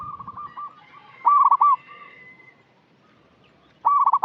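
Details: A local zebra dove that sings often, recorded as a lure call for untrained birds. Two loud, stuttering coo phrases with a rolled finish stand out, separated by quieter, drawn-out level coos.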